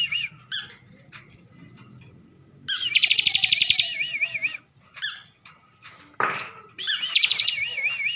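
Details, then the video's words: Bar-winged prinia from Tegal, Central Java, kept caged, in full filled song. Short sharp notes come between pulsed buzzy trills and undulating warbled whistles. A brief harsh noise is heard near the end. "ciblek gacor isian mewah"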